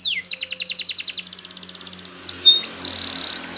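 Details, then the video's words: Yellow Spanish Timbrado canary sings for training: a quick even trill of bright repeated notes for about two seconds, followed by a few drawn-out rising-and-falling whistles over faint background hum. "Canary's Most Powerful Song For Training !! Yellow Canary singing"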